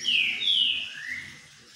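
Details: Green-winged saltator sunbathing, delivering two strong sweet whistles followed by a lower, softer slurred note.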